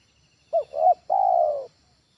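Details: Spotted dove training call used as a lure at home: two short soft coos followed by one long, low, slightly falling coo, clean and without background noise.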